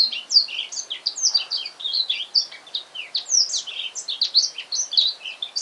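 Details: A newly bought male black-throated canary (Serinus atrogularis) sings at home the same afternoon: a fast, continuous jumble of high, sweet twitters and short trills, rising and falling without pause. The owner notes he also makes an odd goose-like sound.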